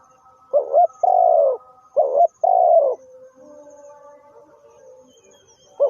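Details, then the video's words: Lure spotted dove for trapping delivers two phrases close together, each a short doubled note and then a longer mellow, falling coo, followed by a soft steady hum in the background. "The Sound Of Spotted Dove"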